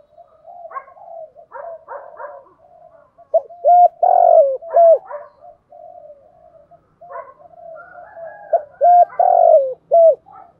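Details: Decoy spotted dove in "giọng thổ" song: rapid soft stuttering notes, then two strong phrases of hooked coos around a long rolling coo, with soft murmuring between; nothing else heard.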